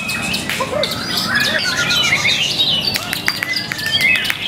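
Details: Murai batu, the white-rumped shama, performing at a song contest on 05/04/2021; clear whistled notes and fast twittering runs, with scattered sharp clicks and other contest birds singing faintly in the background.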